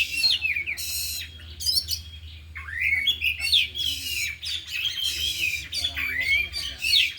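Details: Four caged oriental magpie-robins in an afternoon session, all singing and unloading mimicked isian material. Harsh buzzy bursts mix with swooping and rising whistles and long warbled runs, with steady low hum beneath.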